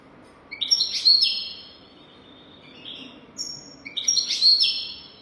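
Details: Golden-throat style song of a European goldfinch for tutoring young goldfinches: a rich twittering burst mixing liquid notes and buzzy trills, a short high whistle, then another bright twittering phrase.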